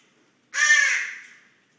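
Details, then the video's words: Close recording of a common raven snoring in its sleep, a single loud, harsh, grating rasp lasting under a second and fading out gradually. "Raven Snoring"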